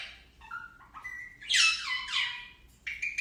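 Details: Indian ringneck parakeet talking: short tonal whistled phrases near the start give way to loud, harsh, speech-like syllables with falling pitch in the middle, then a brief scratchy burst at the end; quiet low hum beneath.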